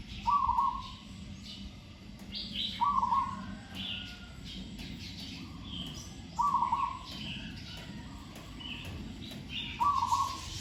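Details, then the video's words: Caged training Zebra dove, only one bird, hung among trees, praised for sweet tone and good phrasing: four trilling coo bursts spaced about three seconds apart, with scattered chirps of other birds. "นกเขาชวาฝึกต่อ เสียงเพราะๆ เดินกลอนดีๆ"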